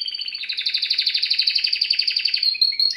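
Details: Red factor canary pair, caged birds: a bright, rapid trilled song of fast repeated chirps, about four notes each second, held steady in pitch, then ending in a few sharper, higher notes. The background is quiet.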